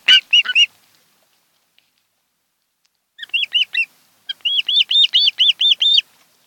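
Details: Ospreys, a mated pair at a Kent Island, Maryland nest on a July 2018 afternoon, give clear piping chirps: a quick burst of three, then silence, then a broken run of shrill whistled notes in steady rapid succession.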